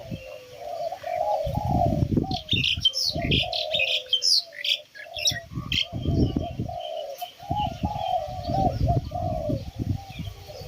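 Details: Spotted doves at a Thai home where many birds were just released, yet they sound louder than before: repeated mid-pitched hoarse coos, with heavy low thumping noises and high chirps from other birds.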